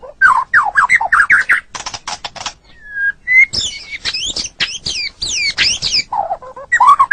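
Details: Murai batu, the white-rumped shama, in a master recording for training songbirds: bouncing low whistles, dry clicking bursts, a lone flat whistle, then sharp high down-slurred notes repeated rapidly, ending with a low fluttering warble.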